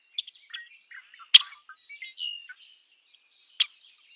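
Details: Red-winged blackbird uttering a loose mix of short chips and a thin whistled slur, with two louder snapping notes.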